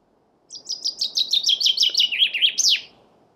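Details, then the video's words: Single Chaffinch song phrase after a brief silence: accelerating trill of clear notes cascading down the scale for two seconds, closing with an emphatic rising then falling final flourish, in a quiet setting. "Chaffinch Birdsong"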